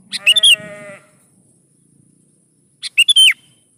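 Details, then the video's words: Sooty-headed bulbul song used to draw responses from young bulbuls: two quick chattering phrases of slurred whistled notes, the first overlapping a steady, drawn-out buzzy tone, then quiet. "PASTI LANGSUNG NYAUT DI PANCING SUARA BURUNG KUTILANG GACOR SATU INI"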